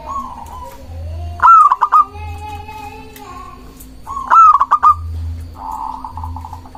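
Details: Local zebra dove song used to provoke rival doves and raise breeding drive. Two loud phrases about three seconds apart, each a sharp rising note followed by rapid clipped notes, with soft, lower cooing rolls between and after them.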